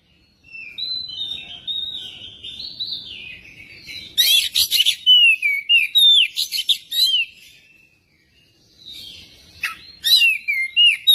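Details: Magpie-robin song for prompting a magpie-robin to sing: soft warbling whistles, then a long loud stretch of scratchy bursts mixed with looping, falling whistled notes, a pause, and another lively burst of song.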